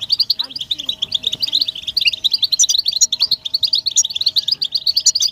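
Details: Chorus of European goldfinches giving mating and readiness calls to set males singing: a continuous, rhythmic patter of high, tinkling chirps, steady from start to end, with a faint background hum.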